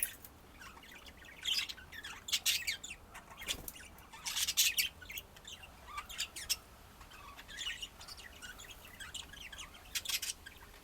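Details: Pet budgies chattering: rapid scratchy chirps and short squawks in irregular bursts over soft continuous warbling, with a faint low hum underneath.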